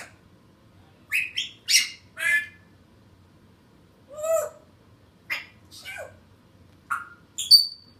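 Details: Pet African grey parrot, alone indoors, calling while its owner walks to the kitchen in hopes of a snack: a varied run of squawks, rasping bursts and short whistles, one falling whistle and a high clear whistle near the end.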